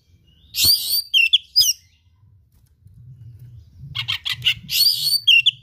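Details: Oriental magpie-robin (kacer) in full 'gacor' song with rare learned material: harsh broadband notes mixed with quick whistles, two loud bursts around a quieter stretch, low hum behind.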